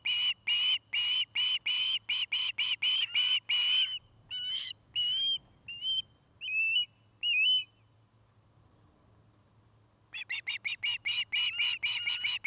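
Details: Nest camera in Charlo, Montana, 09-05-2018: an osprey pours out a quick string of shrill whistled notes, then spaced, sliding upward whistles, a long silence, and a renewed rapid chatter.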